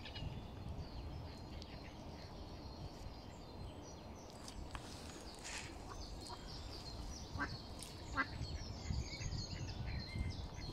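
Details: Mallard ducklings give thin, high peeps in scattered short bursts over a steady low rumble of wind or water while their mother watches over them, recorded April 19, 2022 at Smithpool, Stoke-on-Trent.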